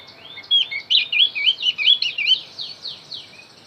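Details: Javan grey-throated white-eye song for luring wild birds: a rapid series of bright, slurred whistles that fade into several thinner downward-sweeping notes.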